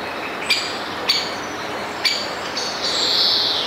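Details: A great spotted woodpecker at its nest gives four sharp, high 'kik' alarm notes at uneven intervals, warning its chicks of a predator, a magpie waiting nearby, over steady background hiss and a faint high whine.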